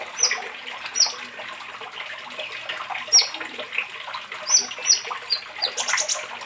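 A sunbird gives short, sharp, high chirps, singly or in quick pairs a second or so apart, over steady trickling water.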